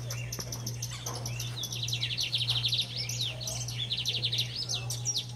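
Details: Lined seedeater, known locally as estrelinha or bigodinho, singing vigorously: a fast, busy stream of high, sharp chirps and rapid trilled note runs with quick upswept whistles, unbroken for several seconds, over a steady low electrical hum.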